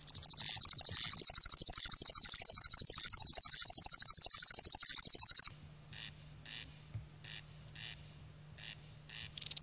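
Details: River warbler singing in the 'tembakan' style: a loud, dry, rapidly pulsed buzzing trill held steadily for about five seconds, then breaking into short separate buzzy bursts over a faint low steady hum.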